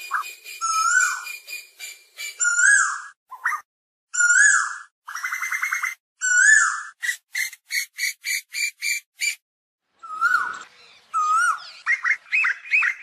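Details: Asian koel calling its flock with a busy run of sounds. Arched whistled notes, trilled buzzy phrases and a long string of quick repeated sharp chirps follow each other with brief pauses.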